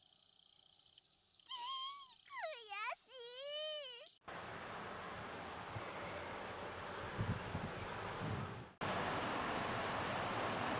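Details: Common kingfisher in Nishikyo Ward, Kyoto, Japan, giving thin, shrill, high whistled calls in short repeated bursts over steady rushing noise, after a lower, wavering voice; continuous calls are often given in flight.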